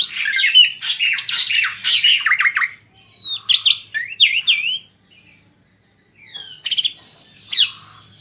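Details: Asian pied starling song intended to prompt other birds to sing: loud rough chattering at first, then separate sliding whistles that grow fainter, with a few brief harsh bursts near the end.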